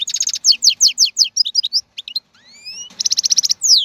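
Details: European goldfinch caught from the wild, 2022 season: quick repeated chirps, jumbled twittering, two long rising whistles, then a rapid buzzing trill and a falling slur.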